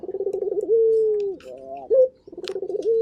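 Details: Lively local turtle dove cooing: pulsed rolling notes leading into a long steady low coo, a short rising note, then the rolling pattern starting again.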